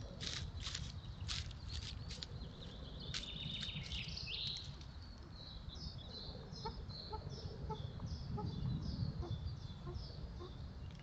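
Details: In a Scottish roadside woodland, caught on a trail camera, a male pheasant gives harsh, abrupt calls early on over a steady low rumble, with faint high chirps from small birds afterward.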